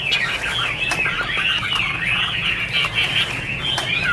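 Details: Chinese hwamei, 2017, sings a continuous rolling warble of mid-high whistles that wobble up and down in unbroken phrases, with a faint low rumble underneath.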